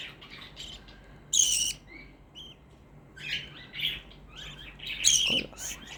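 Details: Pet black-faced budgerigar, noted as very noisy, chattering in high, scratchy bursts mixed with short whistled notes, with two louder harsh squawks about four seconds apart.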